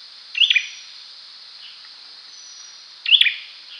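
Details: Olive-backed sunbird with two sharp high-pitched chirped notes roughly three seconds apart, a faint softer note between, steady hiss underneath.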